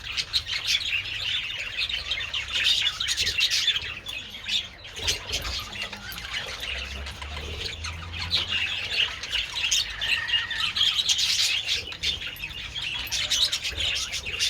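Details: A flock of budgerigars enjoying treats in sunshine on 27 February keeps up long, unbroken chattering: scratchy squawks, trills and chirps overlapping, with brief lulls, above a low background rumble.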